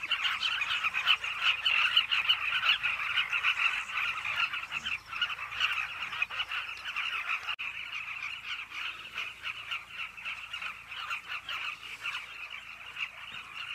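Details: Carmine bee-eaters at a cliff nesting colony: a dense, unbroken chorus of many overlapping throaty, rolling calls in a steady mid-high band, with no clear pauses throughout.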